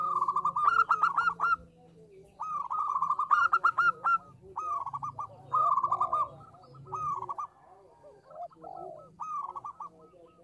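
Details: Local zebra dove giving its lure song, a female calling to a male, with a long series of staccato cooing trills, each phrase of rapid short notes, gradually fading into softer repeated arched coos over a low hum.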